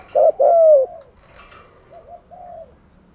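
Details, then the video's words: Decoy spotted dove kept to lure wild doves gives one loud phrase, a short note then a long drawn falling coo, followed by fainter, softer cooing notes. "chim cu mồi thúc gù bài bản nhất hiện nay, chim cu gáy kích bổi hiệu quả nhất hiện nay"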